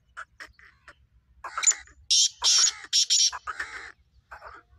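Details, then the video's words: Black francolin being readied for its calling season, giving a harsh phrase: a few short rasping notes, then four loud, grating, buzzy bursts in quick succession around the middle, ending with softer scratchy notes. "Black francolin voice"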